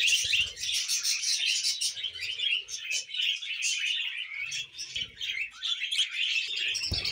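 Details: Kept budgerigars give continuous high, chattering warbles with rapid chirps. Soft low thumps and movement noises sound now and then beneath the birdsong.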